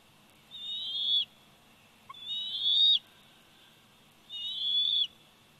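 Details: At the Big Bear Valley nest on 27 July 2019, a 104-day-old bald eagle eaglet utters three long, piercing whistles, each rising slightly and growing louder, spaced roughly every one and a half seconds.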